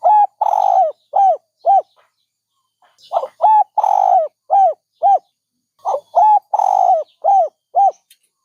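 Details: Two full cooing phrases from a dove, each a soft opening, quick double coo, long drooping coo and a pair of short ending coos, about three seconds apart in a calm setting.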